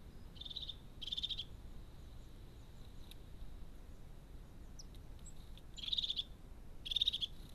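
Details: Crested tit among pines: four short, high, buzzy purring trills, each about a third of a second, separated by pauses of several seconds, over a quiet background with faint low noise.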